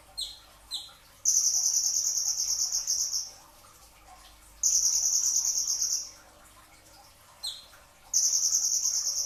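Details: Brown-throated sunbird singing dense bursts at pre-dawn: small clusters of sharp chirps, each followed by a long, rapid, high buzzing trill of one to two seconds, repeated three times.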